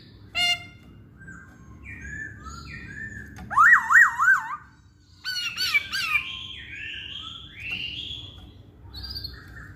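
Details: Masked laughingthrush song used as a lure to prompt other songbirds to sing: loud harmonic whistles with rapid wavering trills, scattered squawky notes and fainter echoing phrases, low background hum.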